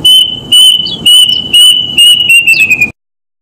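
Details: A plaintive cuckoo gives a series of piercing whistled notes about half a second apart, each at nearly the same high pitch. The last few notes slide gently downward before the calling stops.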